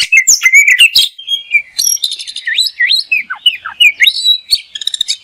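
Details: Oriental magpie-robin (kacer), a songbird popular with hobbyists and entered in song contests, delivering masteran song full of isian and tembakan: rapid varied whistles, sweeping slurred notes, dry chips and buzzy trill bursts in continuous quick succession.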